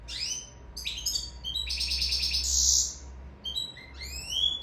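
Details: Sicilian goldfinch in love singing rising whistles, then a long buzzy, rolling trill, followed by quick upslurred tweets; a low rumble accompanies the middle section.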